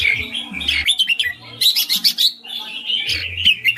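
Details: A caged red-whiskered bulbul delivers ring-style song, whistled warbles at the start, a fast run of clicking chatter in the middle, then smooth whistled phrases again over a soft hum.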